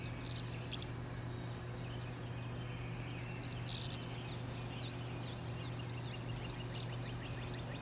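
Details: Thin, high chirps and liquid twitters from a tree swallow, irregular and repeated, heard over a constant deep droning hum.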